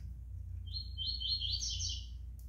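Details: High, buzzy warble from a five-month-old double-collared seedeater chick, a string of stepped trilled notes climbing in pitch, with a quiet hum behind.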